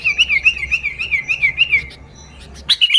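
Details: Sooty-headed bulbul singing energetically, an original recording used to lure other bulbuls: a fast, wavering warble of short whistled notes, then a pause and a brief bright burst of notes.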